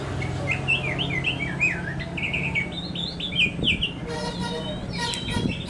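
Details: An Oriental magpie-robin, used as a song-training bird, sings a rich run of varied, slurred whistles that rise and fall, followed by harsher scratchy notes, over a steady low hum.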